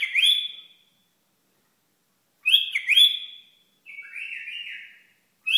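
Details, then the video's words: Iraqi bulbul singing in short bright whistled phrases, each a rising slur followed by a level note, with a lower warbled phrase after; phrases separated by pauses of about two seconds, quiet background. "بلبل عراقي"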